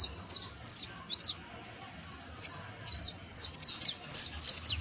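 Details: Saffron finch song meant for tutoring a canary: bright, high chirps and slurred notes in short groups separated by brief silences, clean background with slight low rumble.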